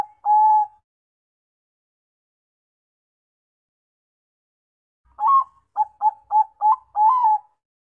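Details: Bangkok-type zebra dove gives a soft, mellow coo, then after a pause a quick stuttering run of five short coos ending in a longer rolled note. No other sounds.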